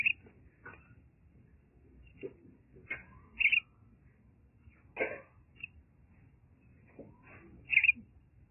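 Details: Rescued common myna chick, taken from a fallen arecanut tree, calls in scattered high squeaky chirps and rasping notes, with irregular gaps of one to two seconds over a faint low hum.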